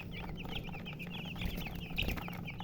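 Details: Chicks giving rapid shrill peeps, a chorus of short high notes over a low background hum.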